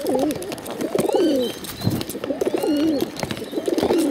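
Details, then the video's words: Hungry bottle-fed pigeons begging, giving low wavering, warbling calls in bursts roughly every second and a half, over steady background noise with scattered clicks. "hungry bottle fed pigeons."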